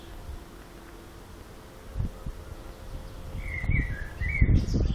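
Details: On the Zmajčkova pot path near Slovenske Konjice, Slovenia, one bird singing at length gives a quick burst of sliding whistled notes late in the recording, with low thumps and handling noise beneath.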